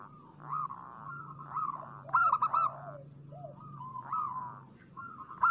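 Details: Local zebra doves singing in a lure recording. Several cooing phrases overlap: soft rounded coos and one loud stuttered burst, over a steady low hum.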